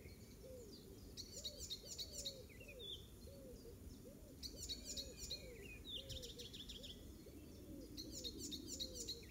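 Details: Icterine warbler in a Pieterburen garden, 17 May 2022, mimicking other species including oystercatcher; bursts of fast, harsh, chattering high notes alternate with whistled slurs, while a lower rhythmic note repeats steadily underneath.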